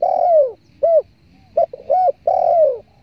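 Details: Tekukur, the spotted dove, heard as a hunters' lure. A long falling coo opens, then two brief notes and a pair of short coos, closing with another long, drooping note. The recording is clean and uncluttered.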